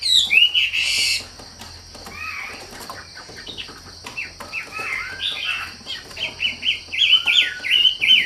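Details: Wambi sings after a short burst of wing flapping. Quiet scattered notes give way to quick repeated whistled chirps that grow louder and faster toward the end, with a steady faint hum in the background.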